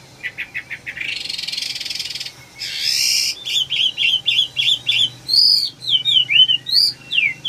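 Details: Red-whiskered bulbul singing: a run of short rapid notes, a long buzzy rising trill, then a string of clear whistled phrases dipping and rising, repeated in quick succession.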